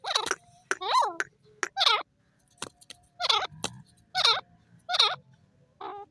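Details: Sindhi teetar (francolin) calling: loud, ringing, harmonic notes with arched, rising-then-falling shapes, given in bursts about every second, with short clicks and faint low background hum between phrases.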